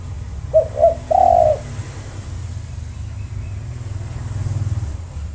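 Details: One cooing phrase from a tekukur, the spotted dove: two short coos and a longer drawn coo, then several seconds of steady low background noise.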